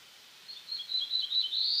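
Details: Black-throated blue warbler song from eastern North America: a short run of thin, slightly buzzy notes that ends in a rising, drawn-out buzzy upslur, over a quiet background.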